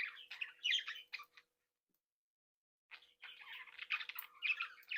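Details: Budgerigars of a breeding flock in captivity chatter with scratchy warbles and chirps, fall silent for about one and a half seconds, then resume in a dense run of twittering.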